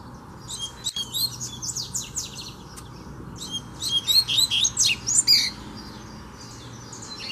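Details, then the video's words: A free double-collared seedeater squares up to a caged one: a stuttering series of high chirped notes, then a louder, faster run of sharp twittering syllables, fading into softer notes at the end. "BADERNA O COLEIRO VEM NA MÃO PRA PEGAR O DA GAIOLA!!! TREINO DE FIBRA NO COLEIRO SOLTO!!!"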